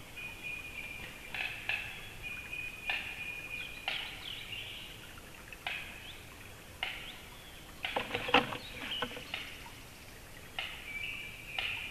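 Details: White-tailed eagle on a black stork nest, May 8, 2016, 11:45, giving high, thin yelping calls in short bursts, some drawn out and wavering, over a steady hiss with occasional knocks and rustles.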